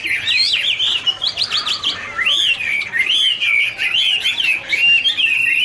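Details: Hwamei duet song with wing-flicking dance: a bright, clear whistled warble of wavering notes, some long sliding phrases and brief pauses between bursts.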